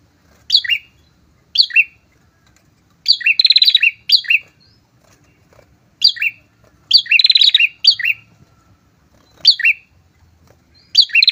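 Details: Loudly singing prinia pair, used to attract and provoke rival prinias; clipped descending chips interleaved with fast buzzy trills, phrases repeated roughly every one to two seconds in a steady rhythm.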